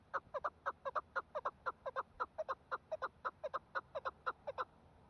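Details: Chukar partridge calling in snowfall: a steady run of short, clucking two-part notes repeated about twice a second, evenly spaced and fairly mid-pitched, against a quiet background.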